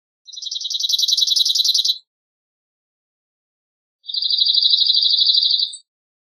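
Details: Singing cirl bunting, Emberiza cirlus: two flat, buzzy trills of quickly repeated identical notes, each lasting close to two seconds with a two-second silence between, on a clean silent background.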